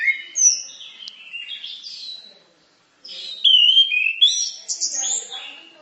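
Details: Song of an orange-headed thrush, a training tutor recording, made of loud whistled slurs and quick chirps that stop for a second of silence before resuming in a richer, faster warbling stretch.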